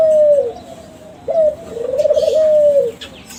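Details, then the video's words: Kelantan zebra dove, young captive bird of champion stock, giving lure song to draw calls from other doves. Long gently falling coos bracket a rapid tremolo passage, all clear and loud over soft background noise. "SUARA DERKUKU KELANTAN TRAH JUARA PANCINGAN"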